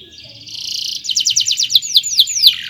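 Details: Canary singing a fast chirping phrase for training other birds: a buzzy trill builds into rhythmic loud pulses, then sharp descending whistled sweeps.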